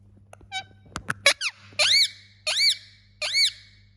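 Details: Indian ringneck parakeet kept as a pet: a few clicks and short descending squeaks, then three loud arched squawks about a second apart, over a constant low hum.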